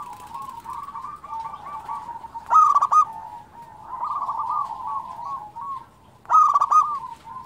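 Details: Local zebra dove singing vigorously, used as a training recording to stir quiet or stressed caged doves into song; soft low cooing runs throughout, broken twice by a loud, sharp burst of clipped notes about four seconds apart.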